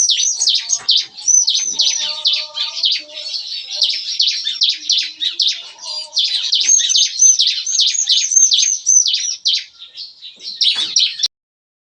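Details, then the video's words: Caged bar-winged prinias (ciblek kristal) in a breeding aviary deliver their morning 'nembak-nembak' shooting song: almost twelve seconds of fast, high, ringing chips, like rapid gunfire, ending abruptly. "Nembak-nembak! Kicauan CiKris Pagi Hari"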